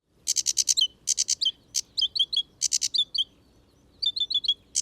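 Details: Sedge warbler singing loudly in wet habitat by ditches and ponds at Gibraltar Point, Lincolnshire: quick bursts of harsh, buzzy notes mixed with high chirps and short rattles, changing phrase every second or so, with others audible in the background.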